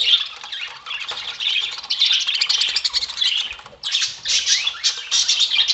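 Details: Spangle budgerigar adults alongside lutino and albino semi-adults give continuous overlapping warbles and scratchy squawks, briefly dropping near the middle before resuming in a burst of sharp chirps.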